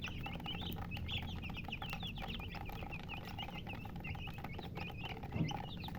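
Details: Chick flock calling, bright short peeps in a quick irregular stream over a low droning background, with a faint thump near the end.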